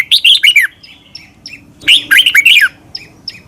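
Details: Red-whiskered bulbul in Thailand singing a doubled song for training caged birds: two lively phrases of slurred, rising and falling whistles, with soft short chirps in between.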